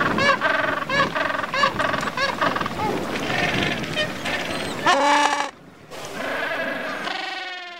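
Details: In a penguin colony on the Antarctic Peninsula, Gentoo and Chinstrap penguins fill a busy chorus with harsh, braying, honking calls that overlap and repeat, with a brief lull near the end.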